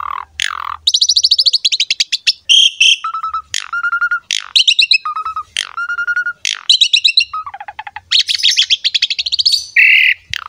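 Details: Asian pied starling in energetic puffed-up song, used to prompt other starlings to sing: a rich jumble of rapid clicking chatter, pure mid-pitched whistles and high buzzy trills, delivered in quick bursts with brief pauses.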